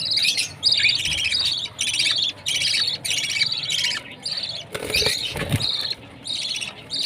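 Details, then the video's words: Baby budgerigar chirping at food time: rapid bursts of bright, harmonic chirps, about a hundred a minute, in clusters separated by short pauses, with a harsher burst near the end. "Baby budgie's chirping sound, budgie parrot food time"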